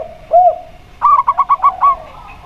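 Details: Local zebra dove (perkutut lokal) with a clear, open voice. After a single lower arched coo, it delivers a quick series of about six short, bouncing coos that end in a slightly longer note.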